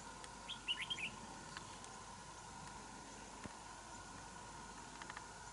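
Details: Red-whiskered bulbul gives one quick burst of bright, bubbly warbled notes near the start, then falls quiet over a steady hum: a territorial challenge to a rival bird at a trap; the bird eventually flew off.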